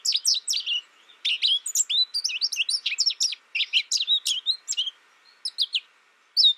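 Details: American goldfinch pours out quick high chirps and bright slurred notes in a busy stream, tapering to a few separate calls with a loud final note.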